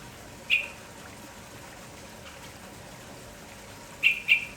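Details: Red-whiskered bulbul, active in the morning: one sharp chirp, a pause of several seconds, then a quick pair of similar clipped chirps, all against a constant low background hiss.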